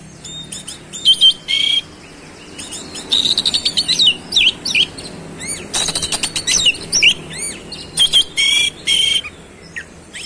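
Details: A long, busy oriental magpie-robin song mixing hoarse buzzy blocks, rapid clicking trills and sweeping whistled notes that rise and fall, delivered almost without pause; faint low hum behind.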